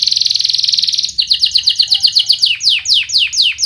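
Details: Singing canary, a lure for young birds learning song: a fast buzzy trill for about a second, then a run of quick sharp chirps slowing into spaced, descending whistled notes.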